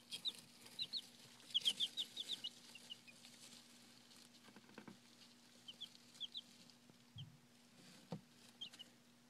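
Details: Domestic chicks about five days old give thin, high, downward-slurred peeps in quick clusters, then scattered single peeps. A steady low hum runs throughout.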